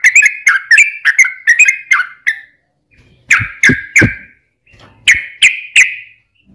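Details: Trucukan song used as a lure for other birds: a quick series of chattering notes, then short groups of three loud, clear notes with brief pauses between them.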